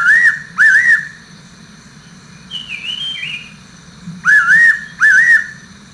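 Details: Fairy pitta giving loud, clear whistled calls: two paired, wavering double notes near the start, a quiet gap, then another matching pair. A fainter, higher warbling call from another bird sounds in between.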